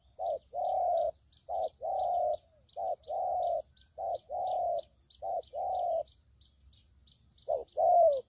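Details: Spotted dove call played to lure birds into traps: clear pairs of coos, a short note then a long steady one, repeated about every second, a pause, then a final louder coo; soft regular chirping in the background.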